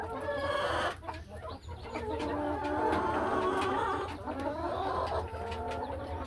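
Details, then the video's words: Laying hens in a hen house on a farm in the afternoon; a dense, overlapping murmur of soft hen calls and clucks, with a steady hiss and low hum throughout. "A Peaceful Afternoon in the Hen House | Real Farm Sounds"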